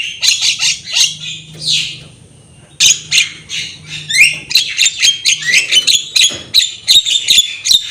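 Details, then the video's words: Javan myna singing energetically, a tutor track for untrained birds: fast chattering bursts, a pause, then a rapid string of sharp clicks and high buzzy notes with short rising whistles. "Masteran jalak kebo gacor full manggut-manggut masteran burung jalak kebo bahan."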